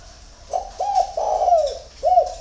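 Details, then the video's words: Spotted dove singing at dawn in Ba Vì, Hanoi, Vietnam: a short introductory coo, two hooked notes, a long rolling descending coo, then one further clear coo, all mellow and low-pitched. "CU GÁY SÁNG SỚM"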